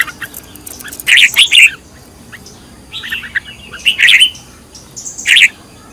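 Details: Red-whiskered bulbul, a decoy bird trained in the intense căng lửa singing style, delivering four loud bursts of bright, warbled chirping phrases about a second apart, separated by quiet gaps.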